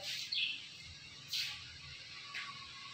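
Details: Indian ringneck parrot flock calling in natural sounds: three harsh, broadband screeches, each short and spaced about a second apart, fairly faint over a quiet low background hum.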